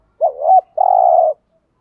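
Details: One spotted dove phrase in the thúc gù cooing style for exciting wild doves: a rising and falling wobbly note followed by a long, even, slightly rough coo.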